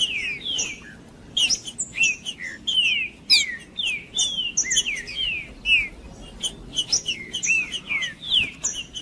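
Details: Green-winged saltator in aggressive male singing, used to provoke other males: clear whistled phrases sliding down in pitch, repeated in quick series, with sharp high chips between them and a faint low background hum.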